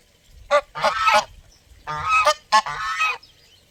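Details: Loud, harsh honking from geese at close range: four broad, rough calls packed into a few seconds, some overlapping, with a brief pause between the second and third.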